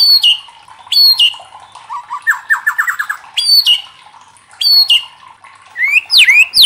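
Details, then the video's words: White-rumped shama provoking other shamas to sing: repeated sharp descending double notes, broken by a fast rising series of short chirps and ending with loud upward-swept whistles. "SUARA LANTANG MURAI LAIN JADI IKUT TERTANTANG BUNYI | Pancingan murai batu bikin gacor ngeplong"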